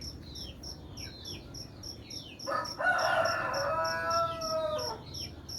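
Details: Chicken (Gallus gallus domesticus), rooster crowing in the morning: one long, loud, harmonic crow rising then falling over about two seconds, over a chorus of high, repeated chirps from small birds.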